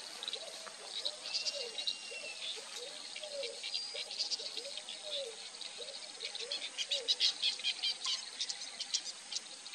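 Capped heron giving a series of soft, low, hooting notes, roughly one each second, under a constant high buzz of insects.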